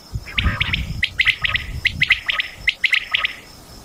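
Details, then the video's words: Quail calls from a Mianwali, Pakistan hunting recording: rapid high three-note phrases follow one another closely, with some low rumbling noise early on. "batair ki awaz"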